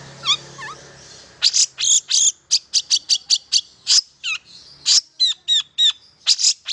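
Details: Long-tailed shrike song to spur non-singing shrikes: a few thin descending notes, then a fast regular string of loud, harsh high chirps and scratchy whistles.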